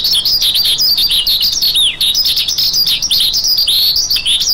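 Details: Continuous shrill warbling from a lark, packed with overlapping high twitters, rising and falling slurs and trilled phrases, delivered at a steady, breathless pace.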